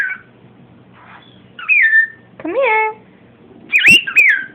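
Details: Pet cockatiel indoors near baby cockatiels, said to be saying "come here": bright whistled notes around a sliding chirp, a short harmonic voice-like phrase midway, then two sharp rising-falling whistles, with quiet room noise between.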